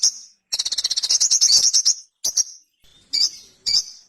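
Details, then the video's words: A sogon, or Ruby-cheeked sunbird, the small, bright nectar-eating bird of flowering trees, gives a fast rattling trill of high chirps for about a second and a half, followed by several separate sharp high notes. "SOGON GACOR KONSLET - KICAU SOGON GACOR JERNIH"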